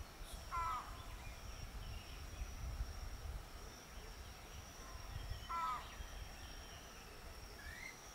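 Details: Two separate short, harsh croaks about five seconds apart from a keel-billed motmot at Rio Santiago, Honduras, with low rumbling background noise, a steady high insect whine and a faint rising whistle from another bird.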